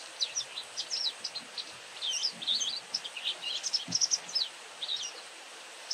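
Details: Near-continuous high twittering from a White wagtail: rapid, jumbled, slurred chirps in dense runs, a couple of soft low thumps, and steady background hiss.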